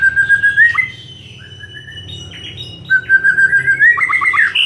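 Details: White-rumped shama singing in the afternoon, played as a lure to make other shamas sing more: long, clear, level whistles, then a quiet gap and a rising whistled phrase that ends in quick chopped notes.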